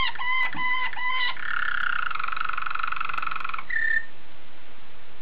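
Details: Belgian Waterslager canary singing: a few rapid repeated harmonic notes, then a long, rich, rolling trill held steady for about two seconds, closing with a short clear whistled tone.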